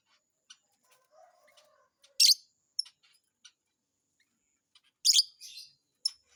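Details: Lovebird giving sharp, shrill, high chirps in short bursts, two loud clusters about three seconds apart with fainter ticks and clicks between them and a brief soft lower twitter early on.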